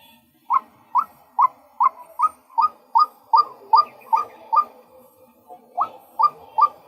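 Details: Male White-breasted Waterhen calling with a string of about a dozen clipped, rising notes in steady succession. A short gap follows, then a few more notes.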